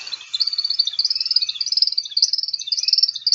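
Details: American Woodcock flight-display twitter from a Sibley guide recording: a rapid, high, tinkling stream of chips pulsing about ten times a second, a non-vocal sound made by specialized primary flight feathers.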